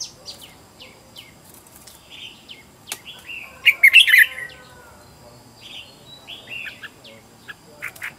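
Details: Red-whiskered bulbul decoy bird luring wild birds, scattered short chirps building to one loud tumbling warbled phrase midway, then further quick notes, over faint background hiss.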